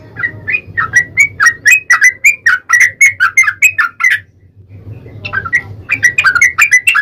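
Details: Yellow-vented bulbul in lively 'gacor' song, a long rapid 'ropel' style used as a lure to make another bulbul sing: bubbly, gurgling phrases of short warbled notes delivered in a quick run, a brief pause, then resuming; low hum beneath.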